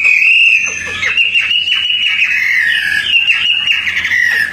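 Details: {'caption': 'Tame Hwamei kept outdoors, singing actively as a training recording for songbirds: a continuous loud, fluid whistled warble sliding around a mid-high pitch, with quick rising and falling phrases and thin higher overtones.'}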